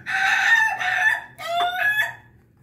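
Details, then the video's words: Bangkok rooster crowing after drinking, the crow likened to laughter: a long harsh drawn-out crow in two segments, hoarse and strained, then fading, over low background hum. "ayam babon bangkok ketawa berkokok"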